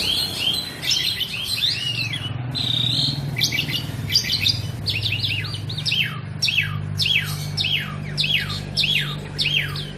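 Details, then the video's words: Black-and-white Asian pied starling singing without a break: chattering chirps and whistles, a level whistle, then a fast run of repeated short downward-sweeping notes, over low steady hum. "JALAK SUREN GACORR,..Suara tiada henti henti"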